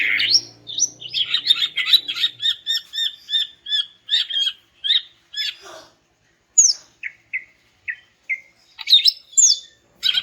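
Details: Greater green leafbird (cucak ijo), female calling males, used to make silent males sing: a fast run of clear chirps repeated about twice a second, then spaced whistled slurs and high rising notes, with a faint low hum at first.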